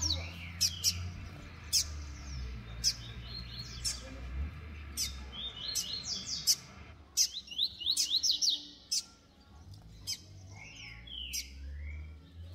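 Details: Young Double-collared Seedeater males sing against each other around one in the afternoon on the 24th, with sharp, high chirps and quick down-slurred notes.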